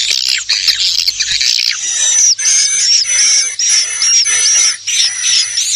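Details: Call used to attract swiftlets: an opening burst of harsh, jumbled twitter, then repeated high, clipped chirps with short gaps, over a continuous piercing tone and faint hum.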